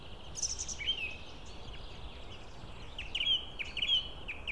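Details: White-tailed eagles at a nest in Estonia during feeding, 16 April 2016, giving thin, high whistled notes, some sliding up or down, in short repeated bursts over a steady background hiss.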